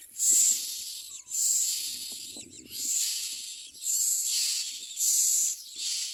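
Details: Common myna baby birds screaming for food as they are fed in the mouth: a rapid run of loud, rasping, hiss-like screams, about one per second, with brief dips between them and a light rustle underneath.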